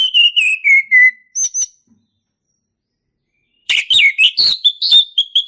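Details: Male orange-headed thrush in forest, singing: a descending series of repeated clear whistles, two high notes, a silent gap, then a rapid jumble of mimic-like chirps and whistles.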